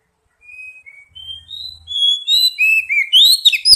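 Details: Oriental magpie-robin lure song for young birds: soft, level whistles that grow steadily louder and higher, building into a quick, varied run of bright whistled notes.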